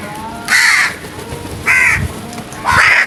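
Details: Three loud, hoarse crow caws about one second apart at early morning, each a coarse nasal burst over quiet low rumble.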